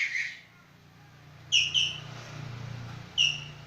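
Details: Javan green magpie in full voice. A single long, harmonically rich whistled note, then after a pause two sharp, clipped notes and one more later, with a low hum beneath.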